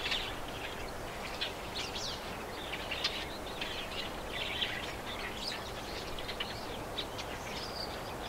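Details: Many wild birds chirp and twitter together outdoors, recorded in stereo; short high tweets and trills overlap continuously against a steady hiss of background noise.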